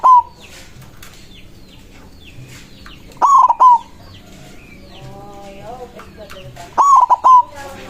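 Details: White zebra dove singing a loud, big-voiced song to call rivals: three coos, each a short burst of three quick rolling notes lasting under a second, at the start, middle and end, with faint chirps of other small birds between.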